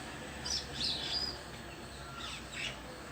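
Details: A bird sitting alone on a tree gives a few very high, thin squeaky notes, then a pair of slurred chirps near the end, over a steady hiss.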